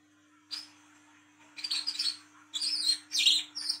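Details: Olive-backed sunbird singing the 'ngriwik' song of the 'wiceh trotol' type at night, used to lure young birds: a high chip, then three bursts of fast scratchy high twitters and sharp notes, over a faint low hum.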